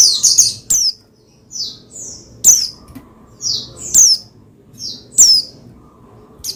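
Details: Oriental white-eye, pleci, used to spur another pleci into song: clusters of thin, high, downslurred squeaky notes and brief twitters, given every second or so, with soft low background hum.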